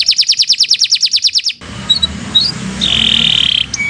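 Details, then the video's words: Canary song intended for training other birds: a quick series of repeated sliding notes for about a second and a half, then faint chips and a steady trilled tone over background hum. "Kicau Burung Kenari 149 II LUAR BIASA GACOR PANJANG Cocok untuk Masteran"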